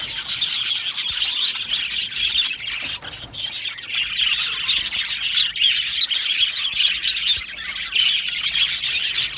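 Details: Flock of Australian budgerigars in an aviary: constant high twittering and chirping chatter from many birds, with harsher squawky notes and sharp clicks scattered throughout.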